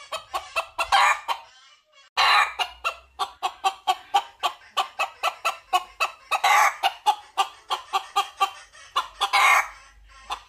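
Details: Long sequences of sharp, regular clucks from a red junglefowl looking for a female, punctuated by several hoarse crowing bursts, with a short gap near the start.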